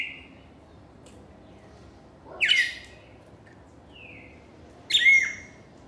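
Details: Cardinal singing: soft whistled notes between two loud, raspy phrases that drop sharply in pitch, about two and a half seconds apart.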